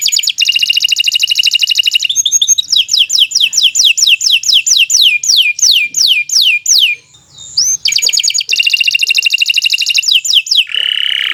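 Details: Canary in full song, played as a lure so pet birds start singing: a dense buzzy trill, then a series of falling whistled sweeps repeated steadily, a short break, and another rapid rolling trill.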